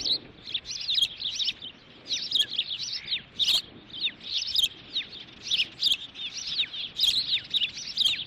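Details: Dominance display at an osprey nest, Dunrovin, Montana, June 2013, with the mother arriving with a stick: nearly nonstop shrill, whistled chirps in rapid clusters, many sliding sharply downward, with brief pauses every second or so.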